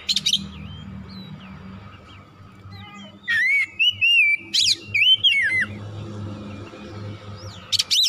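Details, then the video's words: Oriental magpie-robin song played as stimulation to make a kacer fired up and vocal; a burst of loud, rapid, looping whistles and sharp chips in the middle, with quieter scattered notes and low hum around it. "TERAPI MERANGSANG KACER CEPAT EMOSI GACOR BONGKAR ISIAN"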